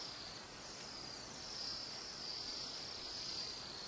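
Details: Flock of Bohemian waxwings weighing down branches in the East Kootenays, British Columbia, giving thin, high, sibilant trills that blend into a steady ringing chorus, over faint outdoor hiss.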